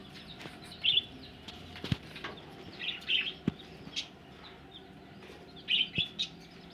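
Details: Budgerigars ready for egg laying give a few short high chirps in small pairs and triplets, spaced by quiet gaps, mixed with sharp clicks and light flapping or tapping noises.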